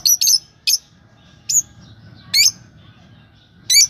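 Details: Lovebird giving six sharp, high chirps spaced unevenly over four seconds, each a quick squeaky burst with short gaps of quiet between them and a faint low hum underneath.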